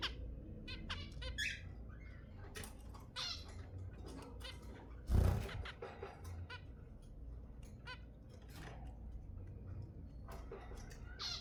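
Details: Zebra finch sounds meant to stimulate mating: scattered short nasal, buzzy calls with stacked overtones, several in quick succession, one louder burst midway, over a steady low hum.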